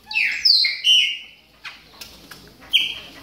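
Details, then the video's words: Chopi blackbird during moult, warming up with a few slurred, rising and falling whistles followed by sharp clicks and one more bright whistled note. "CHAMADOS DE PÁSSARO PRETOS AQUECENDO NA MUDA !"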